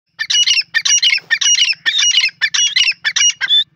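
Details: Grey francolin, also called gora teetar, calling: loud harsh repeated notes in rapid bursts, each a rasping squawk with whistled overtones, about eight bursts in under four seconds.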